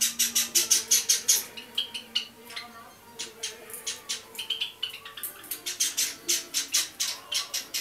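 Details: Java sparrow chicks, 30 and 32 days old, recorded indoors in January 2012; rapid harsh hissing chirps repeated nearly three times a second in bursts, with a brief pause midway.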